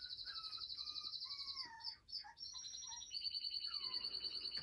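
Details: Young male canary out of his cage indoors delivers a lively song: shrill buzzy trills over lower whistled notes that slide downward, then a long steady high trill to the end. No other voices are heard.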